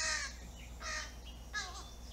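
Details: Fledgling crow begging for food with three harsh, nasal, buzzy cries of about a quarter second each, spaced roughly every three quarters of a second, with a faint low hum behind.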